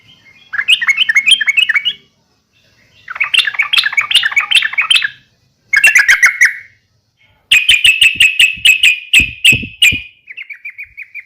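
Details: Yellow-vented bulbul fighting call for provoking other bulbuls to answer: several bursts of rapid, chattering notes, then a long fast series of sharp bright chirps, ending in a brief, softer trill.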